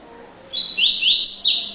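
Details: Brief phrase of the classic "tui tui" double-collared seedeater song, clear high whistled notes sliding up and down in quick succession, loud and close with little background.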